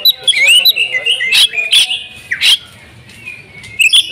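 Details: Oriental magpie-robin giving an agitated fighting song: whistled notes around the upper-middle range, sharp rising and falling slurs and harsh bursts, then a quieter gap before more sharp notes.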